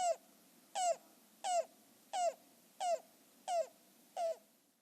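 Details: A secretive Yellow-billed Cuckoo singing from summer foliage: seven hollow, slightly falling notes, one about every two-thirds of a second, over a quiet background.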